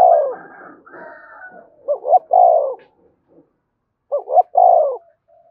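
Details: Spotted dove cooing to provoke fighting: low, soft hooting coos, each phrase a short double note followed by a longer drawn-out coo, repeated after a pause of about two seconds.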